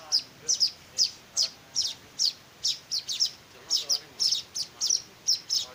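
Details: Weaver nestlings being fed by hand give bright, high chirps in a quick, uneven rhythm, sometimes in pairs, accompanied by a faint low hum.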